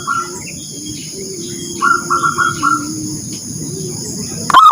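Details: Morning call of a zebra dove meant to get other birds going: a short, fairly soft run of clipped cooing notes over faint low cooing and a steady high hum.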